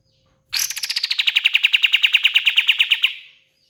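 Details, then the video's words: Pied fantail (kapas tembak) singing vigorously: one fast, even trill of about two dozen sharp notes, starting high and sliding slightly lower, lasting roughly two and a half seconds, then stopping in quiet. "SUARA BURUNG KAPAS TEMBAK KATEM GACOR"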